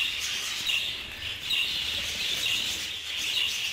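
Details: Group-housed budgerigars clashing in an aviary: busy overlapping high chirping and twittering, rising and falling in loudness, with a low background hum.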